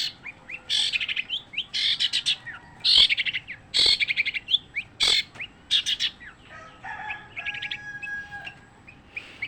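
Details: Long-tailed shrike singing without pause: dense bursts of high, scratchy chirps and trills interspersed with sharp clicks, some rising whistled notes and a few longer warbled phrases, delivered in rapid, varied sequences over faint background noise.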